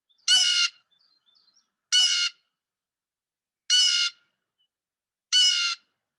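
A blue jay gives four harsh, nasal 'jay' screams, each about half a second long and spaced nearly two seconds apart, against a quiet background.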